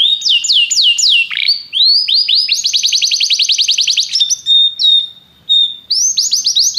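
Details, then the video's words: Canary song: swooping whistled notes repeated in quick succession, a long rapid rolling trill in the middle, then short steady whistled tones after a brief pause and a final run of high slurred notes. "Seu canário cantou imediatamente depois de ouvir este canário"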